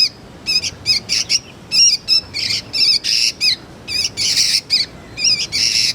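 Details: Juvenile sooty-headed bulbul calls meant to lure birds and tutor magpie-robins: rhythmic bursts of quivering, buzzy chirps, roughly one cluster every half second, with a few thin whistles between them.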